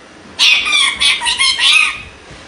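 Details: Pet parrot, angry and arguing with its owner: a harsh, grating burst of squawks in three or four rough pulses over about a second and a half, with faint room noise.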